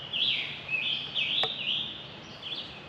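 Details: At dawn on a spring hike by the Thames River in Southwestern Ontario, a territorial male Scarlet Tanager sings from the treetops: a quick string of hoarse, burry, robin-like rising and falling phrases, with one sharp click.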